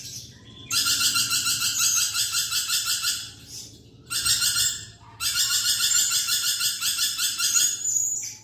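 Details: Lorikeet in full chatter, recorded for tutoring a songbird: three long bursts of harsh, buzzy, rapidly pulsed screeching, each lasting one to two and a half seconds, separated by short quiet gaps, with a faint low hum beneath.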